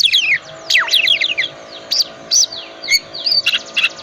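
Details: Energetic song of a calm-type Oriental magpie-robin, recorded to trigger other magpie-robins into song: cascading downward-sliding whistles, then short rising sweeps and bright notes about once a second.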